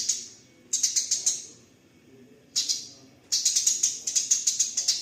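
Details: Captive house sparrows in a fighting bout give dense bursts of harsh, high chirps, clustered in rapid rattling series with short quiet gaps between bursts.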